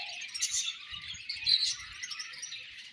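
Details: Chattering budgies give a busy stream of high, scratchy chirps and warbles, with a few brighter whistled notes, over faint low thumps.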